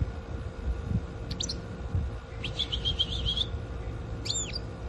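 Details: Goldfinch from a compilation of goldfinch recordings: brief high twittering, first a couple of quick chirps, then a bright rapid trill of about a second, then one more sweeping note. A constant low hum and background noise sit beneath.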